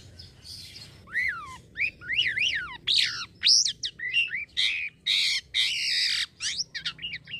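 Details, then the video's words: Black-winged myna, a caged songbird from Indonesia, in full song: zigzag whistled phrases rising and falling several times, mixed with harsh squawky bursts and quick chirps, about two notes per second. "JALAK KAPAS IDAMAN....SELALU MENYENANGKAN TUANNYA...GACORRR TERUSS LOSS"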